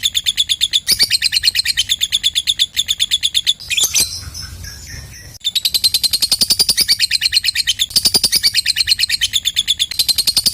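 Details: Long ngekek chatter of a lovebird, used to draw other lovebirds into calling: rapid shrill rattling notes, broken near the middle by a short harsher squeak and about a second and a half of quiet rustling, then chattering resumes.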